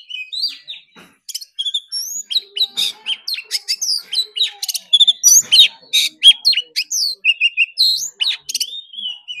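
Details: Oriental magpie-robin in competition singing that lasts all day. Clear whistled phrases mix with short buzzy trills and chirps in a rapid, irregular stream, with brief gaps between bursts.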